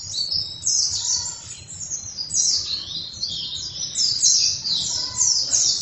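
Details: Oriental white-eye singing vigorously: high, breathy twittering phrases of rapid slurred notes, rising and falling in loudness, over a noticeable steady low hum and hiss.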